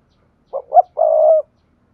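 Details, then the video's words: Coo of a decoy spotted dove, played by speaker to lure wild birds into answering. Two quick soft hoots lead into a sustained low coo, with nothing else audible. "Tiếng Chim Cu Gáy Mồi, dùng loa kích bổi nhanh gáy không tạp âm rất hiệu quả"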